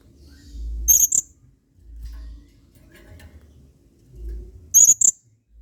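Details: Blue-crowned hanging parrot male, adult and actively singing in the 'main singa' style as a model song for other birds: two paired, very high, sharp squeaky chirps about four seconds apart, quiet low hum between.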